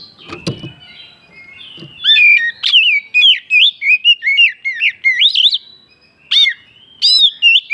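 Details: Oriental magpie-robin singing, used to provoke other birds into song: a rich run of loud whistled notes, rising and falling slurs, with brief pauses and a few sharp clicks at the start.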